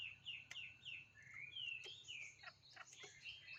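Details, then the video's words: Bird singing a fairly quiet series of slurred whistled notes and chirps, with sharp clicking sounds interrupting and a steady low hum beneath. "chim hót thế này"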